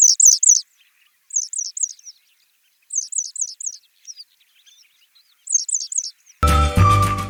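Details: Western yellow wagtail, a migrant in Sri Lanka, possibly Jaffna: thin, high, sharp chirps in quick bursts of three or four, about every second or two; music cuts in at the end.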